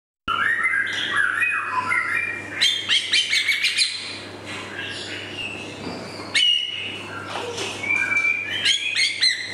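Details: Juvenile male white-rumped shama, known locally as murai batu, singing a varied run of whistled and chattering phrases mixed with harsh notes, over a steady low hum.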